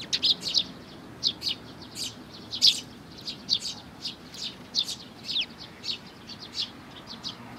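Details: Sparrows, chicks with their parents, recorded 11 May 2019: short bright chirps in loose irregular bursts, some doubled, scattered over several seconds against a steady low background hum.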